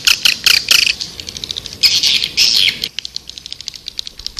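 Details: High, squeaky swiftlet chirps come in loud bursts during the first three seconds, then fade to faint rapid ticking.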